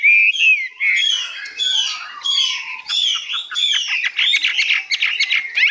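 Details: High, long-phrased song of a Hwamei, a newly arrived bird described as 85% tame: rich slurred whistles sweeping down, then a busier stretch of rapid twittering notes mixed with clear whistles.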